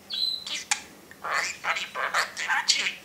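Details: Parrot in its cage chattering, opening with a thin steady whistle then a string of rapid squawky, speech-like syllables in quick succession.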